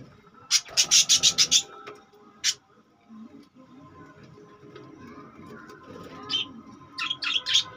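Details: Budgerigars kept in cages: a quick run of six or seven sharp, clipped chirps early on, a lone chirp after, and later a few scattered high notes over low indoor background noise.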